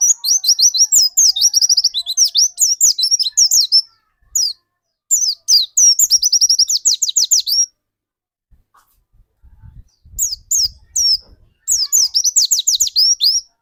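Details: Dakun white-eye in prolific song, used to coax other white-eyes into singing: dense, busy runs of high, sharp twittering notes in several bursts, with faint low rumbling during one pause.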